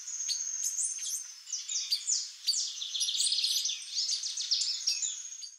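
A female White-bellied Seedeater gives busy, high chips and twitters over a thin, steady high whine.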